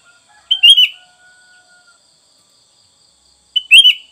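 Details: Sooty-headed bulbul, used as training sound for caged birds: two short, bright, slurred notes about three seconds apart, with a faint thin whistle between them and otherwise silence.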